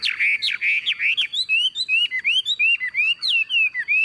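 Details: Tame Chinese hwamei singing in its cage as it is carried and shaken by hand: loud, clear whistled notes, rising and falling slurs delivered rapidly in varied rhythmic phrases.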